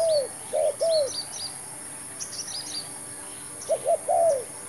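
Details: Decoy spotted dove during trapping with a new bird and trial trap; a few paired coos open and close the clip, separated by a quiet stretch with faint high chirping from small birds.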